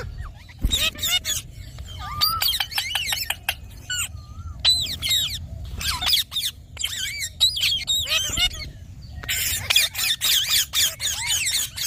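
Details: Ringneck parrot squawks: harsh, high screeches come in rapid clusters, with a few tonal notes scattered between the bursts.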